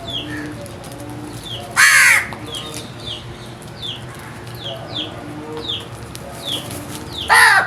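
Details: Crow calling: two harsh, raspy caws several seconds apart, set against a busy background of many short, downward-slurred chirps from smaller birds.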